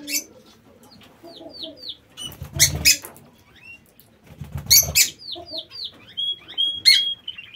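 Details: Lovebirds kept in an aviary: series of clear, high whistled notes curving downward, given in short runs, mixed with loud noisy bursts and a few thin sustained whistles near the end.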